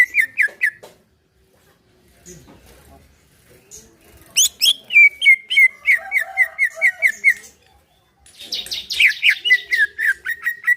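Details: Caged greater green leafbird singing in a relaxed style, used to prompt another caged bird to sing: bursts of loud whistled notes falling from high to mid pitch, repeated rapidly in phrases with short pauses between, some faint lower chatter.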